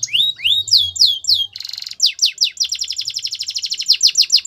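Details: Belgian canary singing a melodic training song: swooping whistled notes, a short buzzy roll, then a long rapid series of repeated descending chirps at a steady pace.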